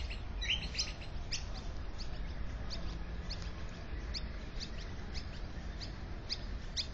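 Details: At an Australian magpie nest with chicks, south-east suburbs of Melbourne, Victoria, taped in a tree two metres from a house: a continuous run of short high squeaky chirps, several per second, over a constant low hum.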